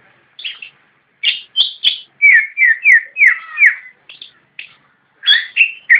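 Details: Javan white-eye delivering 'nyinden' song: spaced chirps, then a run of four or five fuller slurred warbles, then scattered high notes and a final burst of chirps, in a quiet setting.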